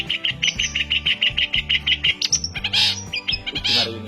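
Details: Long-tailed shrike, known locally as cendet or pentet, held in the hand and singing in Banyuwangi, Indonesia: rapid repeated high chirping notes, then harsher scratchy bursts, over steady background music.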